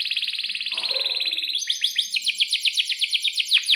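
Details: Energetic canary song used to stimulate other canaries: a rapid buzzy trill, a brief soft low murmur, then a fast pulsing roll of sharp repeated downslurred notes.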